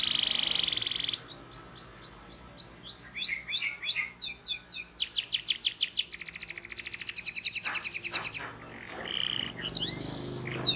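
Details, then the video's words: Canary singing for training young canaries: a low-pitched trill, then series of quick sweeping chirps, a fast buzzy roll and a long high rattle, ending in scattered notes over a soft background hum. "PANCINGAN Kenari GACOR PANJANG Cuit Cuit EMOSI‼️ MASTERAN Kenari PAUD belajar BUNYI"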